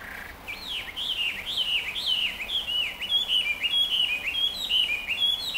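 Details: Introduced Hwamei in Chofu, Japan, June 2015, practising its song: fluid whistles swooping up and down in quick, varied loops, growing higher toward the end, with constant low environmental noise beneath.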